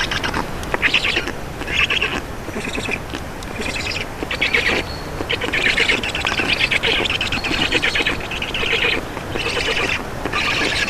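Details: Feeding at an Estonian black stork nest on 2 June 2019, afternoon: a long series of raspy, wheezing call bursts repeated about once a second, uneven in rhythm, some louder and hoarser than others.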